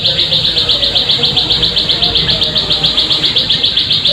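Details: Plain prinia lure call to make birds sing: steady, clipped high buzzy notes pulsing around four per second without pause, some soft low background noise.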